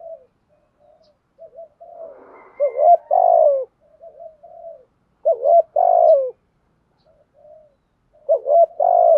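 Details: Spotted dove giving the thúc gù coo style: soft low coos broken by three loud two-part phrases, each a short wavering note followed by a longer, steady hoot, spaced about every two to three seconds.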